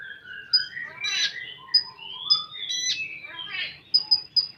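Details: Common iora singing in a 'full tembakan' style: sharp high whistled notes near the top of its range repeated several times, mixed with sliding whistles, warbled phrases and a buzzy burst, against quiet background.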